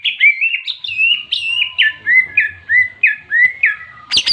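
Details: Repeated bright whistles from a greater green leafbird in fighting song, ngentrok jenggrik style, aimed at agitating rivals: evenly spaced downslurred notes about three per second, closing with a sharp, high crackle.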